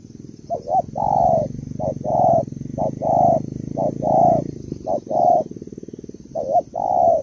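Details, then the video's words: Female Malaysian spotted dove calling to stimulate the male: mellow low coos in short-then-long pairs, about one per second, over a steady low throbbing mechanical hum. "cu gáy malaisia đấu cực sung"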